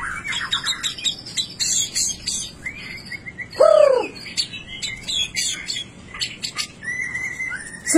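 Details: Rare piebald (blorok) white-rumped shama singing continuously in sharp 'nembak' style: rapid chirps, buzzy rising phrases and high trills, broken by one loud, low, down-slurred whistle midway and a sharp note at the end.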